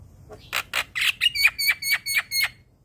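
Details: Young Javan myna singing tirelessly all day: a run of about nine harsh, evenly spaced squawking notes, the later ones carrying a thin whistled overtone, repeated roughly every quarter second.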